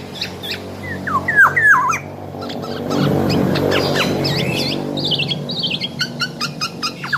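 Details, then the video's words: Black-naped oriole whistling curved, slurred notes, followed by a long rapid series of short high chirps and ticking sounds, against steady low background noise. "Burung Kepodang Super Gacor"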